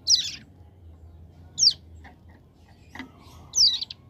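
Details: Hill prinia (ciblek gunung), a young caged bird singing in the rapid ngebren style: three short, very high sharp notes spaced about 1.5 seconds apart, with a faint low hum underneath.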